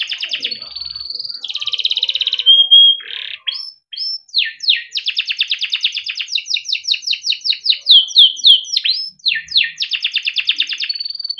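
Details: Melodic song of a Timbrado canary for training and listening: long buzzy rolls and trills alternating with steady whistled tones and bursts of quick sweeping notes, continuous for over ten seconds.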